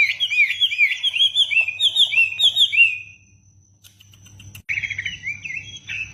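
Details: Loud song of a caged wambi: about three seconds of quick, bubbling whistled phrases, a near-silent pause with faint low background hum, then a fresh burst of rapid chattering notes.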